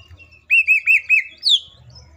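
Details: Green leafbird song used as a lure to prompt other leafbirds to sing: a run of four looping whistled notes in quick succession, followed by a higher sweeping whistle, over a faint low hum.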